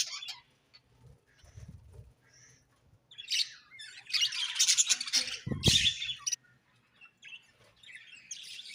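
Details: Quiet, scattered budgie chirps build into two louder bursts of scratchy high chatter, with a low thump near the second burst and softer twitters trailing off.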